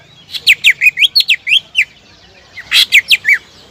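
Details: Energetic greater green leafbird song meant to lure rival birds into showing off their repertoire: a rapid run of about ten slurred, downward-sliding whistled notes, a brief pause, then four more loud notes.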